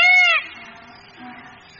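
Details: Peafowl giving a single loud, nasal, arched wailing note lasting under half a second, then fading into quiet background.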